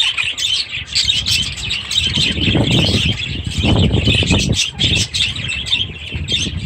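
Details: Budgerigars and young chicks in an aviary chatter in high scratchy warbles, while low rumbling bursts, like wing flutter or handling noise, rise between two and five seconds.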